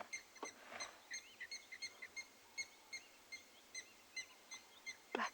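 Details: Blacksmith lapwings flying overhead at Ngala Private Game Reserve, South Africa, on a morning safari drive, 2 May 2020: sharp metallic clinks repeated about every third of a second, over steady outdoor background noise.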